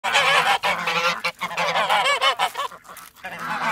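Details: Several Emden geese on a farm in winter, guarding the yard and attacking, honking loudly in rapid overlapping bursts, harsh and nasal, with brief pauses between volleys.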